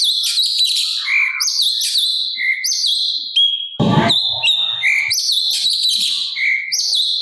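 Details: Lively sooty-capped babbler song from a gacor master recording with kasaran filler, meant for training songbirds: bright high whistles and quick chirps in overlapping phrases, broken by a short harsh burst near the middle.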